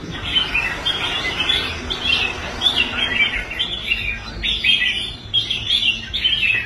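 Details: Rehabilitated red-whiskered bulbul, a caged contest bird that had stopped competing, singing strongly on the rack in fast, tumbling chirps and whistles, phrase after phrase with barely any pause.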